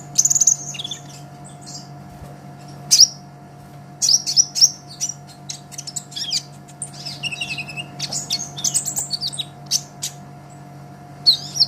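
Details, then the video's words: Long passage of sunbird song for tutoring songbirds: bursts of very high, sharp chirps and buzzy trills separated by short pauses, with busy jumbled twittering in the middle, over constant faint hum. "Suara Kolibri Ninja KONIN GACOR Untuk Masteran Kicau ! Konin Ijoan Gacor"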